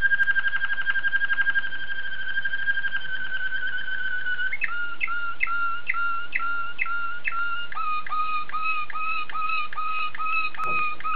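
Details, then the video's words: Belgian Waterslager canary sings a fast, even rolled trill, then switches to a series of gurgling, bubbling water-like notes that repeat in steady rhythm and grow denser toward the end. "Watarslager Canary Song Analysis"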